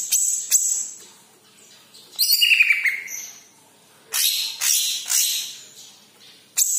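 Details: Yellow-headed cucak ijo (green leafbird) singing, played as a lure to get other birds singing: loud high chattering bursts, trills and sharp chirps with a descending whistled phrase, separated by short quiet gaps.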